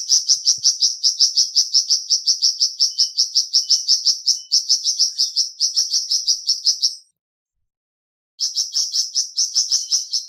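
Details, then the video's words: Flamboyan bird singing steadily, about three high, bright chirps per second, in long even runs. The song stops briefly, then resumes in the same rapid rhythm. "Terapi Cepat Bikin Burung Flamboyan Buka Paruh dan Gacor"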